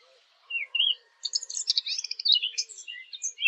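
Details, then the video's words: Fig bird sound used to lure birds for hunting: a couple of short whistled notes, a brief pause, then a dense, fast twitter of high, scratchy chirps that rises and falls, ending on an abrupt clipped note. "Fig bird sound. For hunting"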